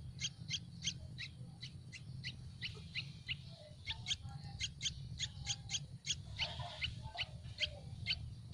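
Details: Hungry Yellow-vented bulbul nestlings begging for food in a nest on a tree: a rapid run of short, sharp high chirps repeated several times per second, over a steady low hum.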